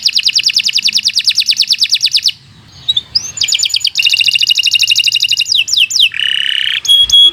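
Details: Long nonstop canary song meant as a master for training other birds: rapid pulsed trills repeated about three times a second, a short pause, then more buzzy rolls, fast downward sweeps and a low flat churr.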